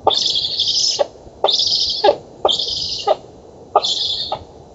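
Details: Black stork nestlings in an oak-tree nest in Poland on 11 August 2017 beg for food at feeding with four harsh, wheezy hisses, each under a second, with short pauses and sharp clicks marking each burst.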